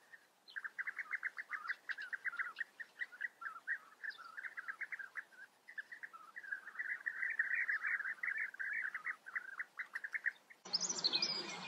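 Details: European bee-eaters calling: a continuous chorus of rolling, liquid, mid-pitched notes repeated several times a second, several birds overlapping, ending with a sudden loud burst of broadband noise.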